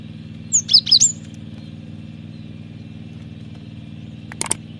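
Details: Cinereous tit song played to lure and train birds: one quick phrase of about four high, thin whistled notes near the start, then a steady low hum and a brief sharp click near the end.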